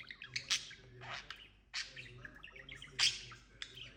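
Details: Pet budgerigar that is learning to speak, giving soft scratchy chatter broken by a few loud squeaky chirps over a steady low hum.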